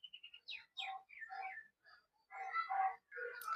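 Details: A common myna perched a long while on a rooftop in Assam at red sunset, 12 April 2025, sings a jumbled run of clear whistles, downslurred notes and harsh gurgling chatter, changing every half second.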